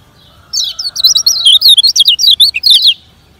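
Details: Lemon-bellied white-eye (kecial kuning, Lombok) song in a fast 'speed kenceng' style, used as training audio for slow singers: a rapid, high, twittering burst of about twenty sharp notes lasting over two seconds, with a faint low hum beneath.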